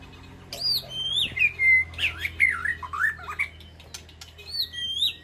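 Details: White-rumped shama calling to its flock in an aviary, with high sweeping whistles, gliding slurred notes and twisting warbled phrases, ending in more clear whistles.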